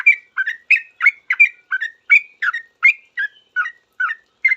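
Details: Sooty-headed bulbul singing quickly in response to other bulbuls: a steady run of bright, bubbly two-part whistled phrases, each with a rising slur, repeated every few tenths of a second without pause.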